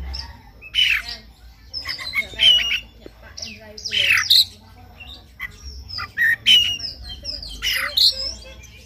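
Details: Oriental magpie-robin in the morning, a recording meant to stimulate singing: repeated harsh, rasping squawk-like notes mixed with short whistled chirps, coming in uneven bursts about every second.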